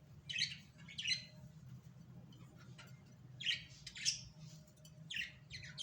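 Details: A pet budgerigar (Melopsittacus undulatus) at feeding time with soft food gives short, bright chirps in scattered bursts over a faint low hum.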